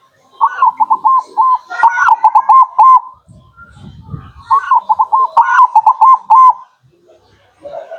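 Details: Zebra dove (local perkutut) song played as a lure for wild birds: two phrases of rapid stuttering notes running into drawn-out, arched coos, separated by a pause with low rumbling background noise.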